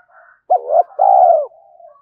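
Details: Spotted dove in a fast urging coo style played as a decoy to provoke and lure wild doves: one low two-part phrase, a short wavering note then a longer smooth falling coo, with faint softer coos before and after.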